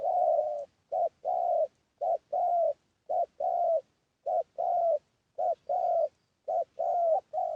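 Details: Lure recording of a spotted dove cooing: regular paired notes, a short coo then a longer throaty one, repeated roughly every second, with nothing else audible.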